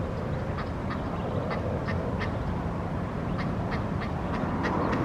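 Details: An Egyptian goose with its little goslings, while they eat, gives short, nasal, quacking calls, about ten in five seconds at an uneven pace, over a steady low rumble of wind or water.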